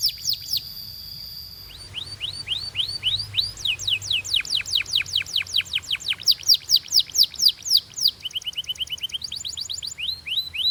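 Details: Belgian canary singing a coaching song: after a brief high burst and a pause, clear upward whistles give way to a long, fast run of sharply falling notes, then rapid trilled phrases and rising whistles.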